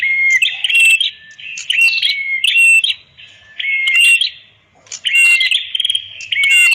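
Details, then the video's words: Red-headed prinia, recorded as master song for birds that will not sing, gives rapid shrill phrases of chips and whistled slurs, about six bursts with one clear pause midway. "Suara ampuh Master burung Prenjak kepala merah"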